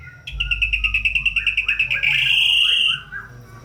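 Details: White-rumped shama, a strong singer used to stimulate lazy shamas: a fast pulsing trill of about fifteen notes running into a sustained, steady whistle lasting about a second.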